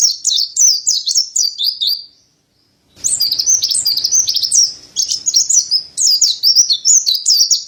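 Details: Mountain white-eye delivering long bursts of rapid, very high warbled chirps, with one brief silent gap between two energetic phrases.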